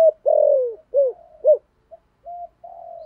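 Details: Decoy spotted dove calling to lure wild doves: a long falling hollow coo, then two short arched notes, followed after a pause by softer, thinner level coos.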